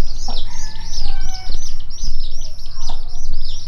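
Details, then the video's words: Mother hen leading her chicks to look for food inside a warehouse; dense, continuous high-pitched peeping from the chicks fills the clip, with faint lower clucking notes underneath. "Mother Hen Leading Her Chicks To Look Food"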